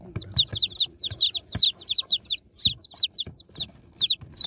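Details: A crowd of baby chicks being unboxed cheep loudly, quick overlapping descending peeps in rapid runs, with occasional taps and low thumps.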